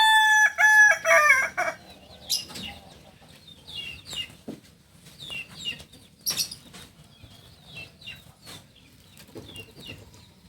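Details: Kokok Balenggek rooster, a singing chicken native to Solok, giving a crow of the landiak class: a loud, harmonic, stepped crow of several linked notes in the first two seconds, followed by scattered chirps of small birds in the background.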